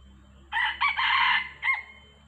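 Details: Wild red junglefowl, a yellow-feathered male lured in along with a female, gives one hoarse, broken crow of about a second ending in a short clipped note, against a faint low hum.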